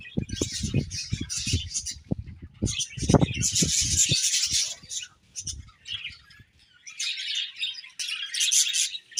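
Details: Budgerigars chattering in bursts of high, scratchy warbling, broken by pauses, with soft knocking and rustling sounds in the first half.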